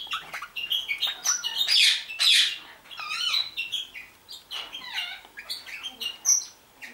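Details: Four budgerigars chatter in a busy stream of squawks, warbles and bright rising chirps.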